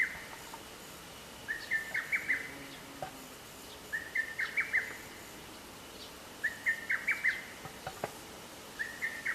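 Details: Lesser cuckoo at Atarashiki-mura in Moroyama, Japan, 24 May 2020, repeating its rapid chattering phrase of about six clipped, slightly rising notes roughly every two and a half seconds, four phrases in all, against a quiet outdoor background.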